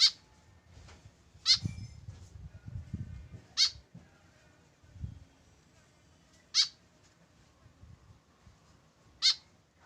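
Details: Five sharp, scratchy, high calls from a tame white-breasted woodswallow kept alone without a companion, irregularly spaced two to three seconds apart, over low thumping and rustling sounds.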